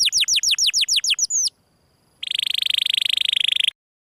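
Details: Canary song in the 'gesekan' style: a series of rapid high descending sweeps about three a second, a pause, then a long fast buzzing trill on one pitch.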